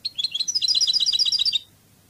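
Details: Spanish Cádiz-style European goldfinch song: scratchy lower chirps lead into a lively, steady trill of bright high notes interwoven with lower ones, lasting about one and a half seconds.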